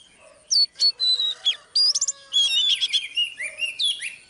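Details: During live training, a female Oriental magpie-robin is used to stir a male into song. Spaced bright whistled notes build into a tumbling run of warbled, rising and falling phrases.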